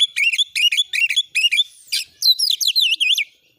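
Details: Oriental magpie-robin song used as training material for other birds: sharp, repeated scratchy notes in quick series, then a fast run of bright, looping whistled notes.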